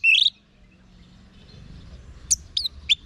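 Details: Orange-headed thrush tutor song for encouraging caged birds to reply. A short, bright rising whistled phrase opens, followed after a quiet gap by three brief sharp high notes against faint low rumble.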